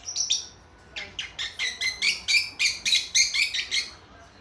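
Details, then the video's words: Young lovebird chicks a few months old, kept as pets, chirping to each other: a fast run of sharp, bright chirps repeated about four per second, harsh and high, after a brief opening burst and a short pause. "애기애기 모란앵무 노랫소리 새소리 대화~♡ lovebird Parrots singing chirping sounds"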